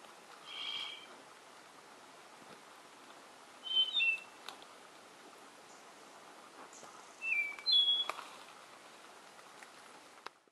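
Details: Spotted nightingale-thrush (Catharus dryas) in Jujuy, Argentina, 12 November 2018, giving short, clear whistled phrases that slur downward, spaced several seconds apart, over a steady forest hiss.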